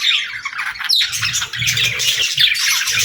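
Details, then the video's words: Pet budgerigars in a group chattering continuously, a dense mix of scratchy chirps and warbled squawks with a brief sharp downward note near the one-second mark, plus faint low thumps underneath. "Bird Chirping Sound 🐦🎶 | Cute Pet Birds 🥰"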